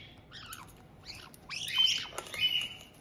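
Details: Caged white-bellied caiques in Tokachi, Hokkaido, on 18 June 2023, a resident pair greeting a new two-month-old youngster. Soft rough chattering notes build into louder rasping squawks, with a faint rustle of wings.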